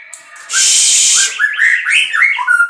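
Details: Captive-bred white-rumped shama singing: a harsh hissing burst, then a run of clear whistled notes that slur up and down, varied and fast.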